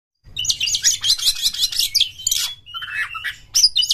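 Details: Oriental magpie-robin singing a masteran training song for contest birds: a dense, fast run of buzzy high trills and scratchy notes, with brief clear whistles near the end and a low background hum.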